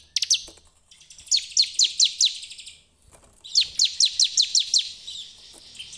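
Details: Bar-winged prinia song for luring others: evenly spaced bursts of five to seven bright, high chirps in quick rhythmic series, separated by short gaps of quiet.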